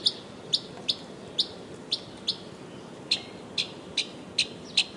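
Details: Northern mockingbird giving sharp, dry single chips at irregular intervals of about half a second, over a steady hiss of background noise.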